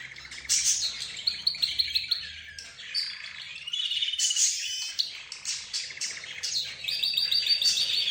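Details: Caged budgerigars, zebra finches, roz birds and a canary sing together, layering warbled whistles, fast trills and rasping chirps into a dense, continuous high chorus.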